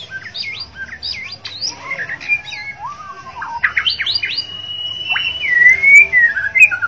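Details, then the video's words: Borneo white-rumped shama singing actively in gacor style: quick looping whistles and chattery notes, then a long clear whistle and loud descending slurs toward the end. A low background hum is present. "murai borneo gacor dor White-rumped Shama 白腰鹊鸲 Kucica Hutan"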